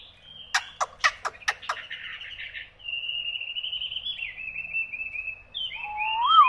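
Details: Hwamei singing: a burst of sharp, rapid downslurred notes, then a long, steady, slightly wavering high whistle, ending in looping, rising whistled phrases that grow louder toward the close.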